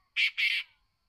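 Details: Single pair of loud, coarse, grating notes from a kept black francolin (kala teetar), the second slightly longer, with nothing else audible.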